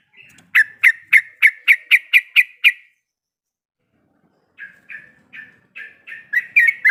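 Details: Yellow-vented bulbul female in breeding condition calling to the male: a quick run of bright, clipped chirps, a two-second pause, then a softer, slower series of similar notes building up again.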